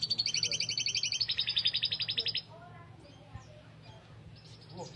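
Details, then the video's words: Canary song recorded as tutoring material for lovebirds: a rapid, evenly pulsed trill of about twenty bright, high notes, repeated roughly four times a second for over two seconds. The trill stops abruptly, leaving faint chirps and a low background hum. "Kicau Burung Kenari Isian Love bird"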